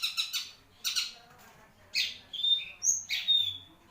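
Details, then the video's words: Long-tailed shrike of the Marlboro type singing in a cage: harsh squawking notes in quick pairs, then buzzy bursts with thin high whistles, over low background hum. "REVIEW CENDET MARLBORO | BURUNG SI RAJA DURASI"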